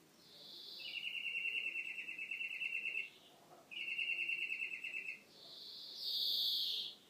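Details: European greenfinch song: two long rolling trills of fast, evenly repeated notes, each about two seconds, separated by a short pause, then a louder, higher, drawn-out buzzy note near the end.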